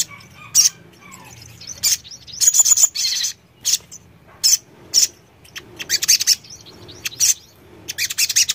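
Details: Sogon song: sharp, very high chirps in short bursts, some quick rattled trills, separated by brief pauses over a quiet background.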